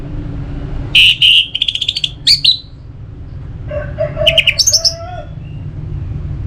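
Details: Orange-headed thrush singing, from northern Bali, Singaraja, used to stimulate singing: buzzy repeated notes and a quick rattle, pause, then a low whistled note and high trilled twitters.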